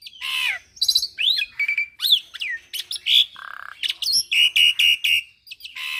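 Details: Young Javan pied starling singing a varied full-repertoire song: harsh descending rasps, swooping whistles, a low buzzy rattle, then a steady series of about six bright repeated notes before a final harsh note.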